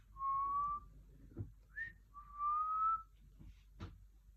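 A pet parrot gives two long, clear whistles, each slowly rising, with a quick upward chirp between them and soft clicks in a quiet room.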